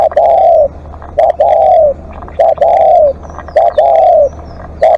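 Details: A spotted dove kept as a live decoy calls insistently, giving short clipped coos followed by long, slightly falling, mellow notes in rapid succession. Faint high twitters of other birds sound in the background.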